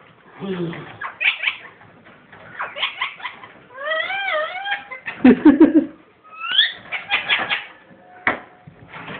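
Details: Indoor pet ringneck parrot producing laugh-like chatter: raspy bursts separated by pauses, a wavering multi-toned warble midway, a rising squeak, and gritty clicks, with faint household background.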